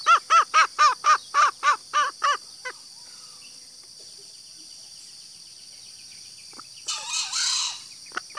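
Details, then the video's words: Female green junglefowl, whose call serves to draw out males. About nine quick arched nasal notes open the recording and fade out, followed by quiet and then a short rustling burst near the end. "suara betina ayam hutan hijau super ampuh untuk memancing suara pejantan"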